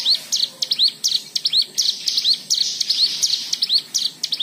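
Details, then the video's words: White-eye song used as a lure to prompt other white-eyes to sing: rapid high, thin chirps and upward-slurred whistled notes in quick bursts, repeated over a quiet background. "Pancingan Cigun Agar Bunyi"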